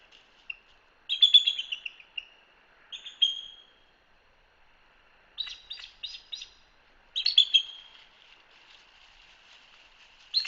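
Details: Bald eagles at a Hanover, Pennsylvania nest camera chattering: shrill, piping squeals followed by fast stuttered series of thin notes, separated by pauses over a faint steady background hum.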